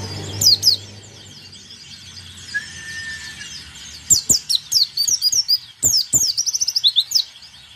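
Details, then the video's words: Lively white-eye song used to spur rival birds into singing and 'nembak' bursts; a brief chirp pair, then a long run of rapid, high, sweeping twitters, with a steady mid-pitched whistled tone near the middle. "PLECI DAKUN BIKIN LAWAN GACOR DAN NEMBAK ! Suara Pleci Gacor"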